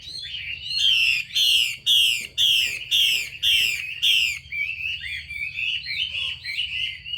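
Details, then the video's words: Female Chinese hwamei calling to stimulate males to sing: a burst of about seven loud, high, downslurred whistled phrases, roughly two per second, fading into softer warbled notes with a steady high tone in the background. "Tiếng chim mi mái xùy kích trống Thúc bổi nhanh lên lửa hót căng"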